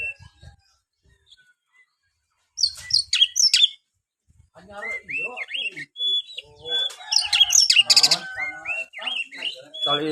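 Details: Song of an Oriental magpie-robin, played to encourage a lazy kept bird to sing: near silence, then a burst of sharp notes, followed by a long run of rising whistles and dense varied chatter.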